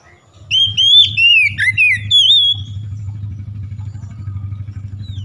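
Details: Oriental magpie-robin, a recording to stimulate lazy birds to sing: a quick string of whistled, sliding notes over a steady low engine-like drone that carries on alone once the singing stops.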